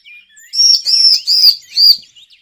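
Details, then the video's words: Bar-winged prinia lure call for trapping: four loud, high, slurred whistled phrases in quick succession, each swelling and dropping, with faint chirps before and after. "suara pikat burung cigun ciblek"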